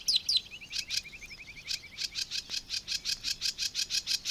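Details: Sedge Warbler in the Matsalu reed beds, USSR: a couple of sharp squeaky notes and a quick descending trill, followed by a steady string of scratchy buzzy units repeated about four times a second.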